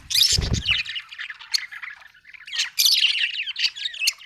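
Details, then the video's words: Budgerigar giving scratchy, buzzy chatter and short high squeaks, opening with a brief low thump, then bursts of warbling that come and go. "budgie chirping sound"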